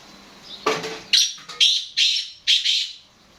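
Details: Black francolin (kala teetar) calling: a soft thud, then a series of loud, harsh, rasping notes, each about a third of a second, in quick, slightly uneven succession.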